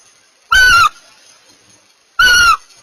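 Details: Barn owls while mating give two harsh, rasping screeches, each about a third of a second long and steady in pitch, separated by more than a second of silence.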